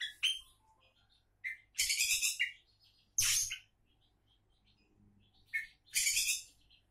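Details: Oriental magpie-robin touted as a contest champion candidate, delivering a few long harsh grating phrases mixed with thin whistles, separated by quiet gaps over a low background hum.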